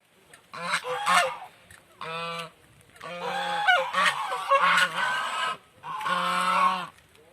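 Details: Village swans giving loud nasal honks, harsh and harmonic, in uneven bursts of one to two seconds, some overlapping as several birds call together.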